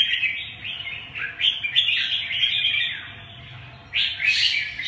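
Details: Red-whiskered bulbul delivering chattering, slurred whistle phrases, some notes dropping in pitch, a brief lull, then a loud, rich burst of warbling at the close.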